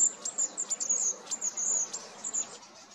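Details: Long-tailed tit calling with a rapid series of very high, thin, slightly buzzy notes in short bursts, almost unbroken through the middle, then fading near the end.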